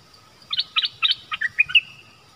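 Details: From a wild family flock, one bird sings a rapid run of about eight clipped chirps, then closes with a drawn-out whistled note. A faint constant hum sits underneath.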